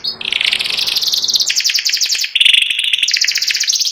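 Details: White panda canary, a caged bird with a symmetrical pattern, in continuous ngeriwik song: high, rapid chattering trills that shift pitch between phrases without a break.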